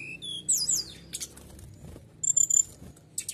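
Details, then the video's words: Canary in 'nembak' style for provoking rivals: a loud sweeping chirp phrase opens, followed by a quieter gap and then a quick run of high, even whistled notes. "Nembak nya kebangetan SRDC Nembak Kenari Bikin Lawan Emosian, Coba pancing Burung di rumah"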